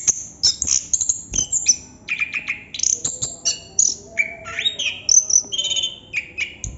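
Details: Rolling, unbroken song of a chestnut-capped thrush (anis kembang): rapid high chips and whistles alternating with lower slurred phrases that rise and fall, each burst lasting under a second, steady low background hum.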